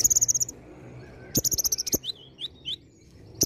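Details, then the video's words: Constant, varied olive-backed sunbird song with imitated phrases. A fast high trill, a pause, another rattling trill, then three quick slurred whistles at a lower pitch. "KONIN GACOR ISIAN VARIASI"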